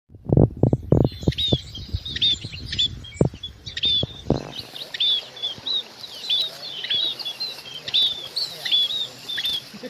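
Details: Munias calling to gather the flock: after about four seconds of low thumping and handling knocks, a steady run of short, thin, high chirps repeats from several birds through the rest of the recording.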